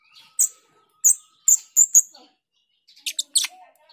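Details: Female grosbeak starling calling as a lure: sharp, very high chirps repeated in a loose series of five, a short pause, then a quick cluster of thinner ticking notes.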